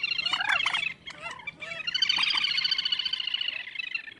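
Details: Calls of a common moorhen: sharp, varied clucks and squeaks, a brief lull, then a long, fast, buzzy chattering run of harsh repeated notes.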